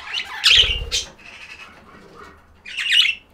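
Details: Pet budgies give harsh chattering squawks and a few low fluttering thumps, then softer warbles before a final loud raspy burst.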